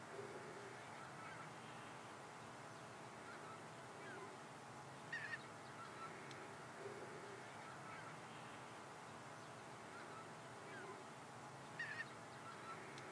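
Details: Pink-footed goose wintering in polder Wijngaarden, Sliedrecht, 24 December 2018: soft, distant honking in a steady flock chatter, with two louder, sharper bursts of honks about seven seconds apart.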